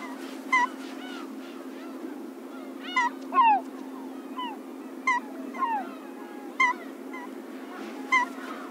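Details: Slaty-backed gull, a rare winter visitor on the coast of Pingtung County, Taiwan, on 1 February 2016, giving short, nasal honking calls every two seconds or so, with fainter gull calls and a low rumble.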